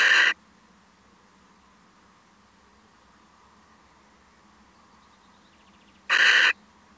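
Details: A male little owl, possibly startled, gives two short, harsh, scratchy calls about six seconds apart; between them there is only a faint low hum.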